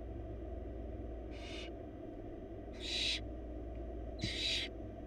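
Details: Barn owl babies in a wild nest box while the mother delivers a big bunny: three broad, breathy hisses about one and a half seconds apart, the later ones louder, over a steady low drone.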